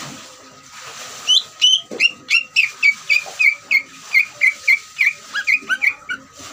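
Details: Ngeriwik song of a greater green leafbird, used to excite other leafbirds: after a second of hissy background, a steady run of clear falling whistles about three per second, ending in quicker paired notes; constant background hiss and hum.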